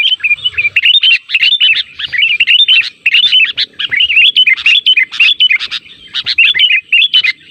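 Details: Sooty-headed bulbul calls played as a lure: lively, bubbling chatter of short notes that jump up and down, repeated in quick clusters with barely a break.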